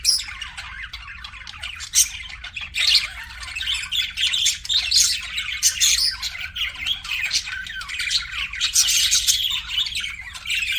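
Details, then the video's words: Budgies chirp as a group in a running, raspy twitter with scattered piercing squeaks; the chatter grows fuller and louder after the first three seconds and again near nine seconds. "BUDGIES CHIRPING SOUND"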